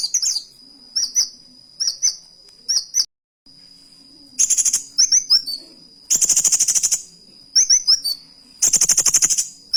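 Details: Van Hasselt's sunbird, or kolibri wulung, singing with canary-style imitation: paired high slurred chirps repeated about every second, then dense buzzy rattling trills alternating with bright twittering phrases, over a steady thin high whine.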